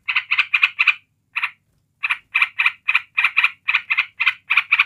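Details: Provoking other bulbuls, a yellow-vented bulbul chatters ngekek-style: four quick harsh notes, a lone note after a gap, a pause of over half a second, then steady paired notes to the end.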